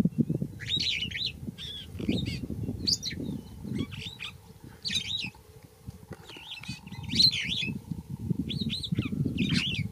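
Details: Yellow oxpecker giving short, squeaky, twittering chirps in irregular bursts, some rising and falling sharply, several per second at times, over a constant low rumbling background with brief quieter gaps.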